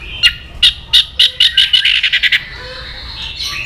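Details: White-rumped shama, its song used to stir aggression, gives a series of sharp, harsh high notes that speed up into a quick chattering burst, then a thin drawn-out whistle.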